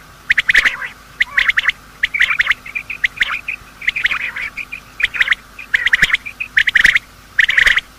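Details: Morning calling of male and female quail, meant as a hunting lure: clusters of bright, rapid chirps roughly every second, broken by brief soft whistled notes between the bursts.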